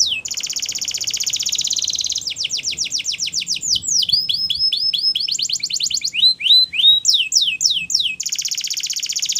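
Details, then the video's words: Singing wild canaries: a long buzzy rolling trill, a run of fast clipped notes, rising whistled phrases and down-slurs, ending in another sustained buzzing roll. "Canaries Singing In The Wild"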